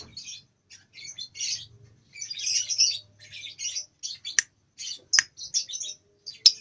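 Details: Juvenile lovebird, two months old, rehearsing short ngekek phrases in nyeklek style: scratchy high chatter bursts, then several sharp cracking clicks near the end.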